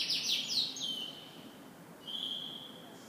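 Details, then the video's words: Canary in the morning giving a quick burst of high sweeping notes, then long pure whistled tones with a quieter gap between them. "Canary Morning Singing"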